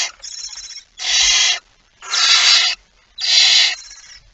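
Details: Barn owl at a nest with prey, 23 September 2019, shortly after midnight: three loud, rough, breathy hisses, each roughly half a second to a second long, following a quieter rasp at the start.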